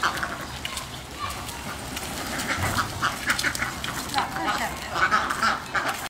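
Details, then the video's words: Neighbour's ducks calling at a person's door in the morning: short nasal quacks in quick bursts, repeated through the recording, mixed with human speech and background noise. "Eevery morning the neighbor's ducks come to this person's door and call fo"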